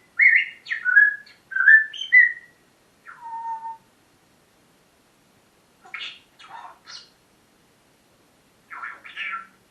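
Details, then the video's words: Pet parrot's morning talking session: a quick run of squawky, whistled syllables, a lower falling note, then scattered harsh squawks after pauses. "My parrots morning talking session"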